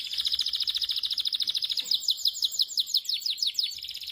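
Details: A canary from Pakistan sings a rapid high rolling trill that breaks into slower, looping slurred notes repeated about twice a second, over faint background noise.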